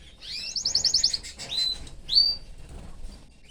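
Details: Caged canary living with its family sings a short rattling trill of quick repeated notes, then two clear rising whistled slurs, followed by quieter twitters.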